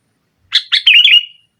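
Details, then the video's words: A single brief phrase from a sooty-headed bulbul in energetic nggaruda-style song, used to challenge rivals: a few quick chirps slurring into a liquid, wavering whistle. "Suara Burung Kutilang Gacor Menekan Lawan NGGARUDA, Pancingan Kutilang Mogok"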